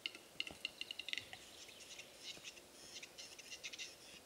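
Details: Lekking Western capercaillie in April 2017, with eleven males and twenty females gathered in front of hides at dawn: accelerating dry knocking clicks giving way to a long scraping, grinding whetting sequence.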